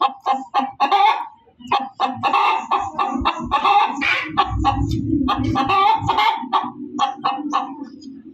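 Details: Loud hen cackle, a fast series of harsh, repeated clucking notes with brief pauses, over a low droning background.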